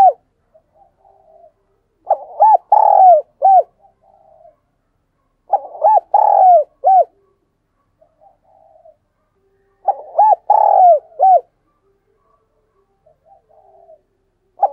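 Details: Decoy dove calling wild doves, Vietnam: three bursts of low, mellow cooing phrases spaced about four seconds apart. Each burst is several quick, hooked coo notes followed by a softer trailing murmur, with silence between.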